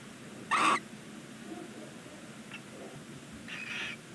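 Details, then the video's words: Barn owl chick begging on its first day in a nest box beside a stork nest chimney, Ságvár, Hungary; one loud short hissing screech followed by faint softer rasps and a weak wheezy sound near the end. "first chick day 1 Barn Owls"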